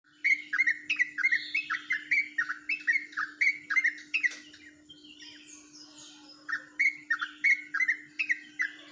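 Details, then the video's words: Yellow-vented bulbul from Jombang singing in ropelan style, said to differ from ordinary birds of its kind: rapid bubbly chirped phrases repeated about three per second, brief pause midway, then resuming, over a steady low electrical hum. "burung dgn suara ropelan yang berbeda dari trucuk pada umumnya"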